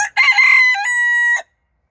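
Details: Cochin rooster crowing: a loud, harmonically rich cock-a-doodle-doo lasting about 1.3 seconds, starting with a short note, then a rough middle section, ending in a long steady held tone that cuts off abruptly.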